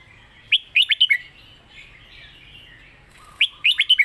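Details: Red-whiskered bulbul singing its master song, a crisp run of four or five loud whistled notes, then soft warbling chatter, then the same rising and falling phrase returning after about three seconds.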